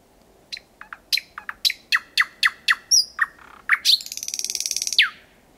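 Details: Thrush nightingale singing at night very close, about 4–5 m away, in Kiili parish, Estonia, on 8 May 2020 at 01:23; a series of sharp, evenly spaced clicking notes speeds up, then a buzzy rattle ends in a falling whistle.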